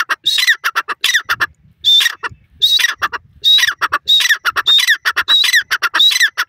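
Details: Francolin, known locally as teetar or jungli teetar, calling loudly: harsh, scratchy squawking notes in rapid bursts with downward-sweeping strokes, repeated in phrases about every second with short gaps between.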